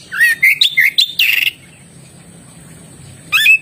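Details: Oriental magpie-robin delivering quick upslurred whistles and a harsh buzzy phrase in the first second and a half, then near silence before a brief rising whistled phrase at the end.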